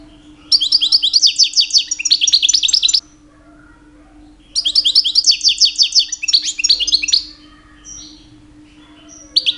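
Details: European goldfinch male, aged two, singing loudly in the mating season to attract females; two tight phrases of rapid high twittering, each about two and a half seconds, with silence between and a short note at the end.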